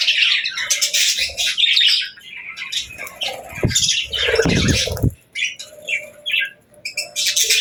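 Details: Happy pet budgerigars chirping: dense, scratchy warbled chatter with quick high chirps in overlapping bursts. Low thumps and rustling, likely from wings or cage movement, come around the middle.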